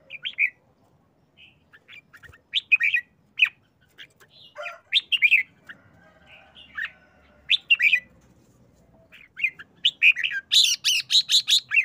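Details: Caged red-whiskered bulbul singing short excited phrases: bright warbled notes around mid-high pitch in scattered bursts, ending with a fast run of repeated sharp chattering 'rik rik rik' notes near the close.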